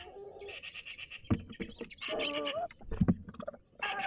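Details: Courting tawny owls, a grey female and a rufous male, call back and forth at a daytime nest box in Toledo, Castilla-La Mancha. Loud mixed chatter and wavering tonal notes are punctuated by dull thumps.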